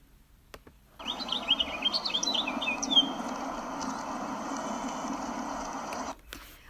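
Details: House Finch visiting a backyard bird feeder, giving quick, high, twittering chirps and slurred notes in a burst over about two seconds, then fading, over a steady rushing background hiss.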